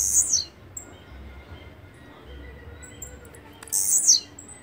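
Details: Blue-black grassquit singing: a brief strident buzz ending in a downward sweep, heard at the start and again near the end, separated by quiet with faint high whistles from other birds.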